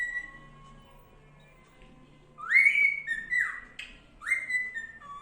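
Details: Pet cockatiel whistling near a rabbit, clear rising notes that swoop up and then fall in short repeated phrases.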